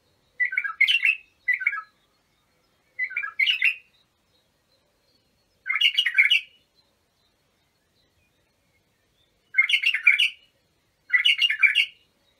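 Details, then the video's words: Abu Shuaib style song of an Iraqi bulbul, meant for training young birds: six short, chirpy warbled bursts, mostly in pairs, separated by irregular gaps of one to three seconds, with nothing else heard. "تغريد بلابل ابو شعيب لتخريج البلابل"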